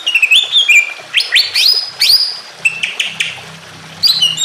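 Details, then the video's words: Emotional greater green leafbird song used to spur other caged leafbirds into singing, with trickling water behind: varied clear whistles, rising sweeps and slurred phrases in short bursts separated by brief pauses. "BIKIN CUCAK IJO LAIN IKUT BUNYI EMOSI"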